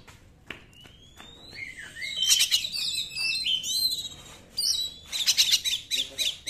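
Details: Oriental magpie-robin in 'nembak' singing, played to make reluctant magpie-robins sing: a thin rising whistle begins quietly, swelling into dense bright warbles and rapid ringing trills with faint background hiss.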